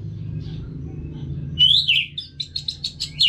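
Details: Orange-headed thrush in a cage, singing as a training sound: a slurred rising-then-falling whistle, followed by a string of evenly spaced short chirping notes.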